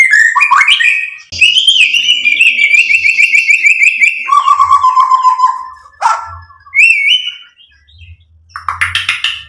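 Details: White-rumped shama song used to stir other birds to sing: a quick mix of whistles, then a long rapid trill, a lower sustained warbling note, and scattered sharp chirps; faint low hum underneath.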